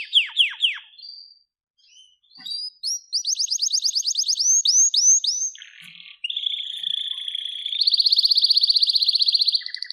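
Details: Canary in full song: quick falling whistled notes, a run of rapid repeated chirps, then long rolling trills held at an even pitch.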